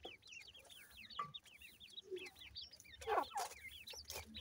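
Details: Black francolin chicks give many overlapping, high, down-slurred peeps in a busy chatter, with a short steady tone near one second and loud clicking knocks around three seconds.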